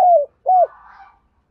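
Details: Spotted dove kept as a lure bird to call wild doves: two short, low coos, the first falling and the second arched, followed by a faint trailing murmur.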